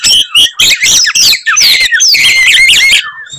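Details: Oriental magpie-robin singing aggressively to provoke rivals into anger: loud, fast string of varied whistles, slurred rising and falling notes and harsh chatters with no pauses, ending in a descending whistle.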